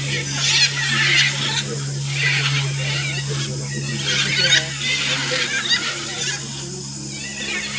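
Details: Blue-and-yellow, Red-and-green and Scarlet Macaws at Chuncho Clay Lick, Tambopata Reserve, Peru, 22 October 2015, noisily eating mineral-rich clay: loud, harsh, raspy overlapping squawks in rapid, uneven bursts over a steady low mechanical hum.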